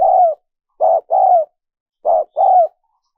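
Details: Spotted dove cooing for luring wild doves: a long falling coo, then two paired phrases, each a clipped note followed by a drawn-out descending coo, with silence between them.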